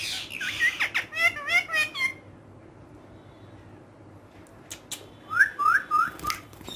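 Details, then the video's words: Green talking pet parrot that speaks Urdu, playing with a hand: a burst of harsh, speech-like syllables in the first two seconds, a pause, then several short, bright, rising chirped notes near the end, indoors. "Amazing Urdu Bolne Wala Tota || Green Talking Parrot"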